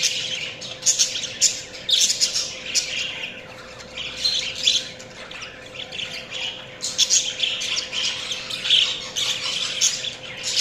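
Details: Several budgies chatter nonstop with high warbling chirps and squawky notes. The sound thins briefly in the middle, then returns in a busy flurry, with a constant low hum beneath.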